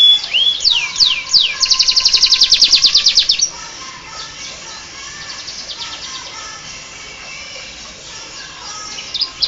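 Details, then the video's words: Canary imitating the Bar-winged prinia: a few loud downslurred whistles give way to a very fast buzzy trill lasting about two seconds, followed by faint distant twittering. "Suara kicau burung kenari rasa ciblek"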